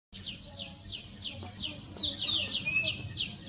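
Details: Birds chirping in a forest on a rainy day: a series of high, sharp downward chirps about twice a second, then a louder, busier warbled stretch midway, over a low rumbling background.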